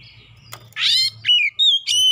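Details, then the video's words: Oriental magpie-robin lure song: a short burst of loud, rich whistles. A harsh, scratchy note is followed by clear, level whistled tones, with a faint low hum at the start. "PANCINGAN KACER LANGSUNG GACOR NGEPLONG NGOTOT BONGKAR MATERI ISIAN"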